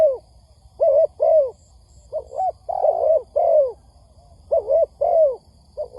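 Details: Trapping lure recording of a spotted dove: rhythmic low cooing, double notes alternating with longer sliding coos, in four closely spaced phrases.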